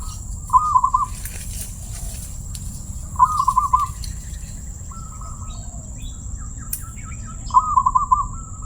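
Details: Zebra dove praised for its crystal-clear voice, repeating short rolling trilled coos several times with pauses of a few seconds, plus a softer level note, faint chirps and a steady high hum.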